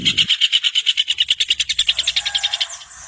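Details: Rapid rufous hornero song: a run of ringing, clipped notes that speeds up, then softens and trails away near the end.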